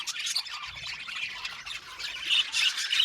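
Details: Budgerigars in an aviary colony chirping together: a dense, continuous wash of high, scratchy chatter and squeaky warbles from many birds at once, with no clear pauses.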